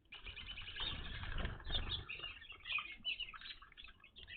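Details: Evening grosbeaks gather at a bird feeder, newly seen at this location. Busy, overlapping short chirps run together in a rapid, irregular chatter, along with some low thumping and rustling.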